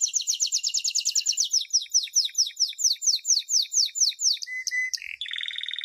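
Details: Canary singing to teach young birds, a champion song: a rapid rolling trill that slows into descending swept notes, followed by short flat whistles and a steady high buzzy tour.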